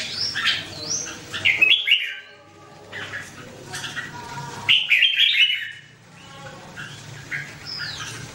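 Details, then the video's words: Red-whiskered bulbul pouring out lively whistled phrases, three or four slurred notes each, bright and rising then dropping, repeated every few seconds with quieter twitters between. "The Sound Of The Birds Singing Wonderful: Birds Red-whiskered bulbul"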